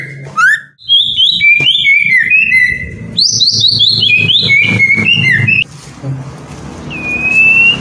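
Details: White-rumped shama, kept in a cage, sings to push lazy birds into nonstop singing: a long chain of loud whistled phrases stepping between pitches, then a pause and one drawn-out rising whistle.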